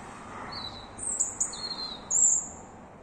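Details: Unidentified bird singing at 3 a.m.: a few high, thin whistled notes, a short lower note then a longer very high drawn-out whistle, over quiet background hiss.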